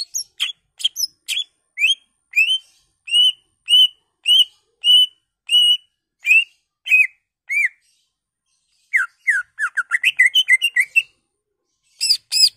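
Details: Greater green leafbird lure song to provoke other leafbirds: quick chips, then a steady series of level whistled notes about two per second, a pause, and a rapid rising chattering run, ending with sharp chips.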